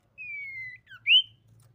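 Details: Common iora, described as a female, giving a lure song to make rival ioras sing. A drawn-out whistle sags gently in pitch, then a quick dip and a bright rising slur end the phrase over a soft low hum.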